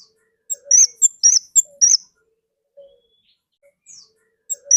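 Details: Orange-headed thrush singing from the forest: a quick burst of high sharp whistled notes over about one and a half seconds, then near silence with faint low notes, and a new phrase starting at the end.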